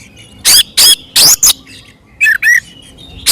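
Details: Oriental magpie-robin, called kacer, singing in fighting mode to provoke other birds: four loud harsh rasps, a pause, then two descending slurred whistles and another rasp.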